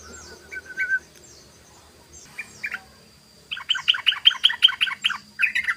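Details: Sooty-headed bulbul in ropel song used to lure birds: scattered soft whistles at first, then a two-second burst of rapid, even chattering notes at about three per second, over a faint steady high tone.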